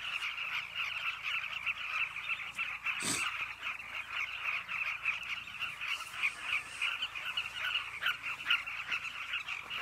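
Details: Carmine bee-eaters calling together at a cliff nesting colony: a dense, continuous chatter of overlapping rolling calls in two bright bands, with one sharp click near the three-second mark.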